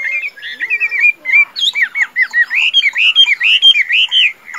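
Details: Caged Chinese hwamei from Vietnam, a tame bird said to sing and fight well, pours out continuous rich whistles, looping rising and falling slurs strung close together without a break.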